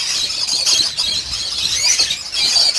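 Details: A dense chorus from a lovebird breeding farm of about 800 pairs: many shrill, squealing chirps and squawks overlapping without pause, high-pitched and continuous.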